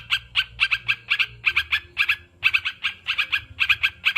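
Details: Continuous clipped chatter from a sooty-headed bulbul, notes clustered in twos and threes with slight irregular pauses, low hum in the background.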